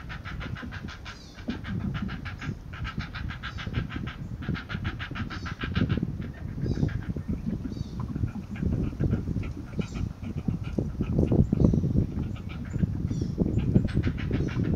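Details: Bird, unnamed species, growling with wing flapping and beak biting at the end of a feeding session while an adult slips away; rapid harmonic pulse bursts repeat in runs over a constant low rumbling noise.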